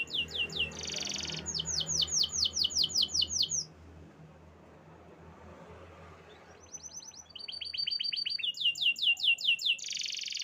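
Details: Canary song: loud bursts of rapid, high, repeated trilled notes, then a quiet pause of about three seconds, then more fast trills and a dense buzzy phrase, over a low steady hum.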